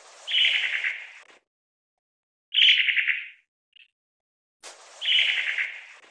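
A long-tailed tit gives three dry, rolling churrs, each about a second long and high-pitched, spaced roughly two seconds apart, with a faint hiss behind.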